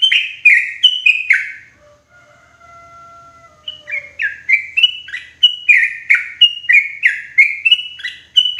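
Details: Yellow-vented bulbul lure call, loud and clear, meant for trapping bulbuls in forest: a rapid run of short bubbly, slurred notes, then a pause with faint thin whistles, then the chattering phrase resumes, several notes per second.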